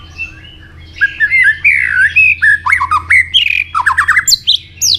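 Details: White-rumped shama pushed into fighting song: a rapid run of loud, varied whistles, sharp slurred notes and squeaky chips, some swooping down and others leaping up high, delivered in quick bursts.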